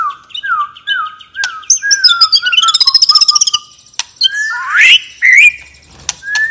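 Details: White-rumped shama with a relaxed 'ngeplong' song used as a lure for other birds: a series of low slurred whistles, a fast rattling trill, then loud upward-sweeping notes.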